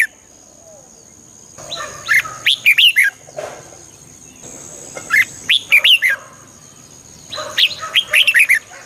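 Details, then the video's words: Red-whiskered bulbul song used to stir up a bird: three phrases of rapid, bright whistled notes, each lasting about a second and spaced a few seconds apart, with a steady high hiss behind. "เสียงนกกรงหัวจุก ชัด 100% เปิดต่อ ให้นกคึก"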